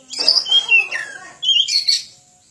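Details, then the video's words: Training recording of a vigorously singing Oriental magpie-robin: a rich phrase of whistled notes sliding downward and mixed with harsh, chattering elements, then a second shorter whistle-and-rasp phrase after a brief gap. "Suara panjingan masteran burung kacer gacor"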